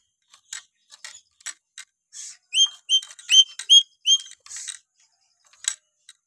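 A Black-capped Lory gives a quick run of six clear, ringing whistled notes, each with a hooked upslur, between dry clicks and harsh scratchy notes.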